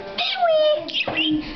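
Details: Pet budgerigar talking in a thin, buzzy voice during a conversation with a person, imitating short human phrases such as "pretty birdie" and "good boy."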